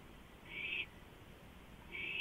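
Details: Owl on a porch at 2:05 AM, 5 April 2015: one harsh, noisy screech lasting about a third of a second, followed by the start of another.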